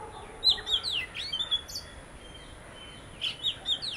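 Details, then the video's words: Visiting Oriental magpie-robin, one of a pair, giving crisp high whistles and downslurred notes in short bursts, a quiet gap, then more sharp whistled notes; a faint steady high tone runs throughout. "Magpie Robin - Singing and Behaviour"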